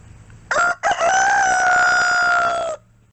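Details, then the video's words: A rooster gives one loud crow: a short opening note, then a long, steady, strained call held for nearly two seconds before cutting off. "Rooster is Crowing"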